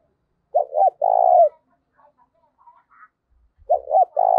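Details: Spotted dove kept as a decoy for luring wild doves, voice type 'giọng thổ': two full phrases of paired short coos leading into a long, vibrating coo, with a quiet gap between them.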